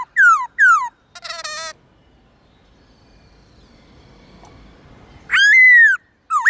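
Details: Black-throated laughingthrush singing its varied morning 'forest voice' song: two sharp downslurred whistles and a rough buzzy note, a stretch of soft background hiss, then one long arching whistle and the start of another.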